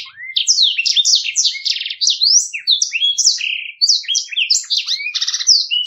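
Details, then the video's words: Black-throated canary delivering a clear rolling song in the ngeroll style, used to tutor other birds: a rapid unbroken stream of high whistled slurs, sharp rising and falling notes and buzzy trills with a strong, steady rhythm. "Blackthroat | Ngeroll Jernih, POWER IRAMA MANTAB..‼️Siyap jadi pendamping gacoanmu.."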